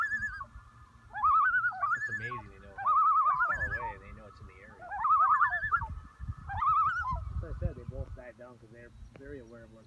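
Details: A pair of common loon parents give wavering, laughing tremolo alarm calls in bursts every two seconds or so at a flying bald eagle, protecting their chicks, over a low rumble of wind or water.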